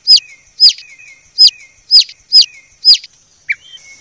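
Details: White-rumped shama from a very clear recording: six sharp, high chip notes about every half second, each trailing into a faint thin whistle, then one lower short note.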